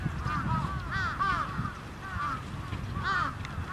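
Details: Crows held in a trap call with harsh, arching caws in bunches, several birds overlapping, each burst about a second apart, over low rumbling noise.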